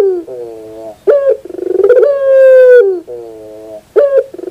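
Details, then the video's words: Close, clear song of a puter dove. Quavering, throaty rolling pulses build into a long drawn-out coo, followed by a lower wavering phrase and a brief sharp note before the pulsing starts again. "your puter bird will definitely sound"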